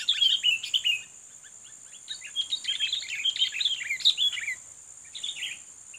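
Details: Sooty-headed bulbul lured as a fighting rival: loud, almost continuous bubbling chatter of bright rising and falling notes, briefly pausing before a final burst, with an insect hum running throughout.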